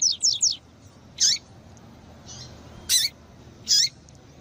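Female double-collared seedeater giving high, thin 'tui' notes: a quick run of three, then single chirps spaced about a second apart.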